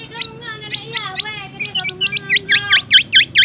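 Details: Black-naped oriole in full energetic song, mimicking white-rumped shama phrases and an ambulance siren: harmonic whistled notes, then rapid repeated V-shaped sweeping whistles about twice per second over a faint steady low hum.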